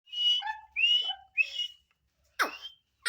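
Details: A black francolin, in a recording labelled as chick and female sounds, gives three clear, slurred whistled notes about half a second apart, then two sharp, harsh descending chips.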